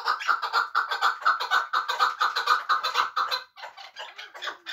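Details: Chukar partridge from Muminobod, a bird kept for hunting, giving a fast series of harsh, clucking chuk notes, about two per second, that soften and thin out near the end.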